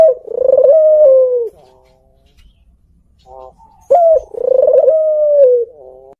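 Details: Captive Barbary dove, a puter pelung with a black neck collar, giving its 'kuk geruk kwaakk' song in a mastered recording: two rolling, throaty coos of about one and a half seconds each, separated by a short pause, in a quiet indoor setting.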